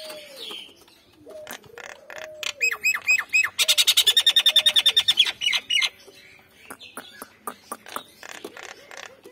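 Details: Nias hill myna, male and female pair: soft low whistles, then a loud rapid series of harsh squawking notes with rising whistled phrases, trailing off into scattered clicks.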